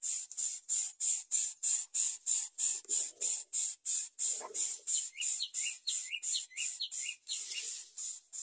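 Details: Young Greater coucal crying for food: harsh, hissing, raspy bursts repeated about three times a second in a steady rhythm. Short higher chirps join in during the second half.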